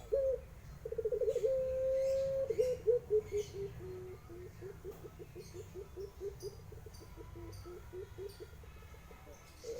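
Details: Barbary dove cooing in the pelung guguk style, opening with rolling notes into a long even held coo, followed by a lengthy run of short low pulses that weaken toward the end before a fresh note begins.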